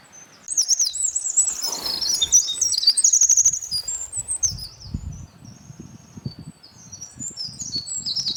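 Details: Eurasian wren, a wild bird, pouring out a loud, very high, jumbled song of rapid trills, chips and sweeping notes lasting over eight seconds, with some low thumps beneath.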